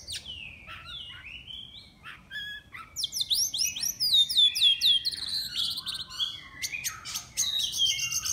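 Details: Caged Oriental magpie-robin entered in an online singing contest, owner from Miri, Sarawak: varied whistled phrases, then a fast run of high, sweeping descending notes and sharp chips, very clear over a quiet background.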